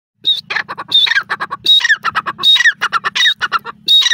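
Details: Female grey francolin, known locally as irani teetar, calling: loud harsh squawking notes with a clear whistled tone near the start of each phrase, delivered in rapid bursts of four to five notes repeated about every second, over a low steady hum.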